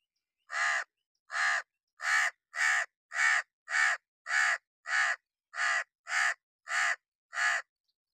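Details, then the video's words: Long run of twelve harsh, raspy caws from a hooded crow perched on wood in the rain in summer, delivered at a fairly steady rhythm of nearly two per second. "crow cawing sound effects from sitting on wood enjoy the summer vibes in rain"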